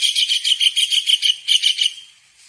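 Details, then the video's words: Long-tailed shrike in full song as a tutor recording for other songbirds, a fast run of harsh, buzzy pulsed notes that fades out at the end. "masteran burung Tengkek udang gacor untuk burung kicou"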